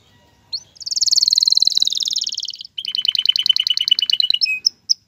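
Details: Male canary stimulating a female to mate and build a nest; a sharp opening note, a long rich high trill, then a lower rattling series of rapid pulses ending in two short chips.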